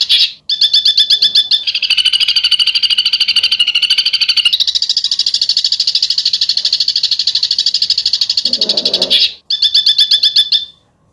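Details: Extended besetan song from a bird: a relentless rattling trill of rapid, sharp high pulses for about nine seconds, briefly broken, with a faint low sound near the end.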